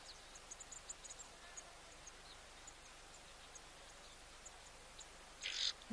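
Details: An oxpecker at an African waterhole gives a single short, harsh, hissing rasp near the end, its alarm call, which makes a drinking animal look around; quiet outdoor background with faint, scattered high chirps.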